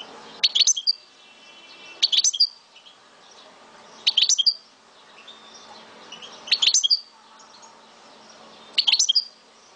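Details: Algerian European goldfinch kept as a pet, from Souk Ahras, singing short bursts of rapid high tinkling notes roughly every two seconds, with quiet pauses and faint background hum between phrases.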